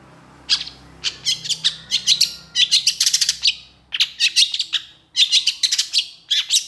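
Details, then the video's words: Energetic long-tailed shrike song delivered in long bursts for tutoring other shrikes: dense runs of sharp, scratchy chirps packed closely together, broken by brief gaps, with a faint low hum beneath. "SUARA PENTET GACOR DOR EMOSI TEMBAKAN PANJANG"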